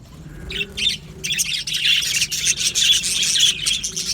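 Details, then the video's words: Budgie birds in an aviary, a brief quiet start before a group bursts into busy chirping and squawking, bright high notes crowding together. "Beautiful Budgie singing and chirping sounds"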